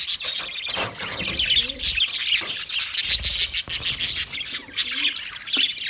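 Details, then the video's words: Budgie parrots chirping busily, with quick high tweets and squawks repeated rapidly and unevenly, several birds overlapping, and louder bursts toward the end. "Parrot Calling sounds, Parrot sound video , Natural Budgie Parrot video , Birds chirping sounds"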